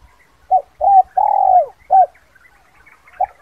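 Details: Spotted dove giving a two-note 'kuk 2' lure call used to draw wild doves down for trapping: a short hollow coo, a doubled coo, then a long drawn, slightly falling coo and more short coos, with faint chirps from other birds behind.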